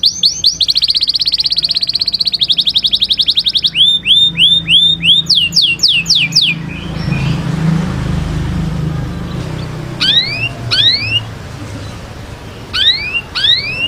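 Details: Canary song opening with rapid high trills and repeated downward sweeps, then a low rumbling background like passing traffic with a few isolated rising chirps.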